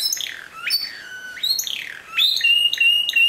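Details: Discontinuous-style Timbrado canary song: sweeping whistled notes falling from high to mid pitch, then clear sustained metallic tones and a steady high trill in the last second.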